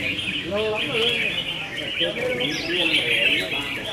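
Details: Several red-whiskered bulbuls compete in a singing battle, pouring out busy overlapping warbles and chirps, with a few sharper rising whistles and low voices in the background.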